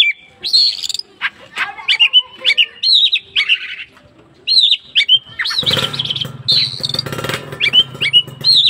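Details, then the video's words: Oriental magpie-robin singing actively, a fast run of varied whistled and slurred notes, some rising, some dropping, broken by short pauses, with a harsh broadband rattling burst near the end. "kacer gacor gayanya manteb"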